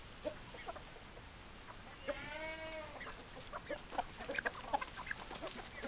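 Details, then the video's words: Chickens, hens and roosters: a rooster's long harmonic crow rises and falls around two to three seconds in, set among scattered short clucks from hens before and after. "Chicken Sounds Noises Hens Clucking Roosters Crowing"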